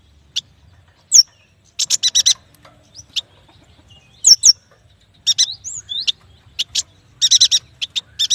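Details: Excited yuhina singing in scattered phrases: quick descending whistled slurs, short clusters of three or four buzzy chatter notes, and a final dense rattling run, over a quiet background.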